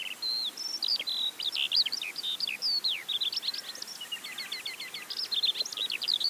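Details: A Eurasian skylark, unseen high above farm fields in the West Sussex countryside, pours out a continuous, high, rapid warble of chirps, trills and slurred whistles without pause, over a faint background hiss.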